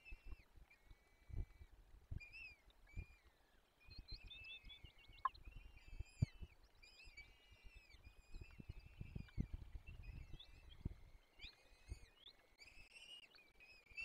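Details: Peregrine falcon chicks at a forest nest in the Barycz Valley (Dolina Baryczy), 17 April 2024, being fed: faint, strained, harmonic whining calls repeated in overlapping bursts, over soft low thuds and rustling at the nest.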